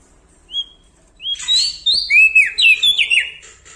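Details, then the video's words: Lombok Bar-winged prinia singing loudly and persistently alongside large birds: one short clear whistle, a pause, then a string of bright, swooping whistled notes that drop in pitch, repeated in quick jerky steps. "Prenjak Daun Lombok gacor Mental Juara Nempel Sama Burung Besar Suara Nyaring"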